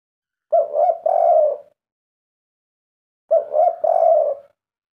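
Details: Owned zebra dove performing the 'kuk 3' song: two bursts, each a quick pair of short coos leading into a longer rolling trilled note, separated by nearly two seconds of quiet.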